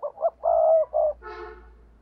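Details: Spotted dove coo used to attract wild doves: two short notes, then a long, even hoot and a final short note, followed by a brief harsher harmonic-rich sound over a faint low hum.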